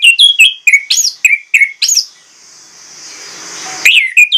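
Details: Orange-headed thrush singing a loud, insistent lure song filled with imitations: a fast string of clear downslurred and upswept whistles, a short pause, then more sharp notes.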